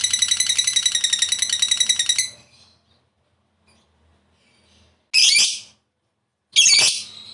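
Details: Lovebird sound used as a lure for other lovebirds: a two-second burst of rapid, rasping high chatter, a pause, then two loud harsh squawks.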